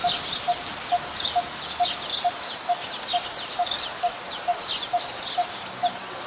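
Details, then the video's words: Coppersmith barbet recorded on 2 January 2021 in Ubon Ratchathani, Thailand, where it is a very common resident. A long run of low, hollow 'tuk' notes comes roughly twice each second, set against busy high twittering from other birds. "นกตีทอง : Coppersmith Barbet"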